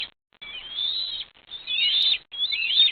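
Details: Bald eagles at their nest in Morrow, Ohio, on a late-May morning, with three young hatched in March: high thin squealing calls in three drawn-out bursts, each about a second long and separated by short pauses.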